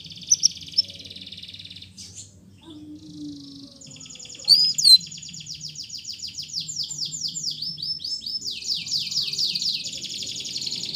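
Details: Canary song for rousing canaries that have stopped singing and tutoring two- to four-month-old birds; after a quiet start with a few chips and a pause, a long rolling trill of rapid upswept notes builds steadily louder.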